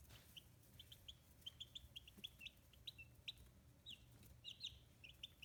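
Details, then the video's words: Fifteen-day-old chicks, feathers starting to grow, kept in a homemade brooder on a small free-range farm in Kitahiroshima, Hiroshima, Japan, give high thin peeping chirps, scattered and overlapping across the whole stretch, with a low steady hum beneath. "Chicks Chirping Sounds"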